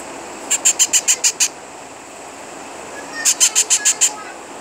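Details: Baby parrots giving two bursts of about seven rapid, shrill, scratchy chirps each, evenly spaced and high-pitched, with a pause of nearly two seconds between bursts over a quiet background.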